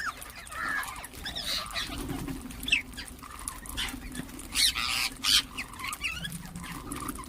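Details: Chirping and calling ring-necked parakeets: irregular short high notes, several louder bursts clustered in the second half, over a continuous low hum.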